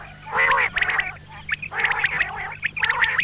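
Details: Calls of a female common quail, or batair: quacking, nasal, harmonic phrases in two long bursts, joined by sharper ticking notes, with a faint steady hum underneath.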